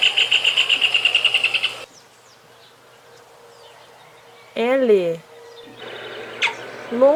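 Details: Rufous hornero (Furnarius rufus), song.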